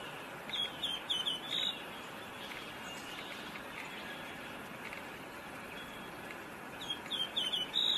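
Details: Rose robin (Petroica rosea), call.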